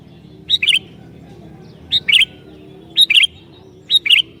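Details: Energetic sooty-headed bulbul song used to provoke other bulbuls: four phrases about once a second, each opening with a high note and ending in a rapid double chirp, against a low hum.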